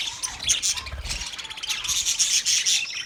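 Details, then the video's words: Lively budgerigar chirping, meant to comfort a lonely bird: a continuous thread of thin, high twitters and whistled notes from several birds, brightening toward the end. "Budgies chirping sounds for lonely bird"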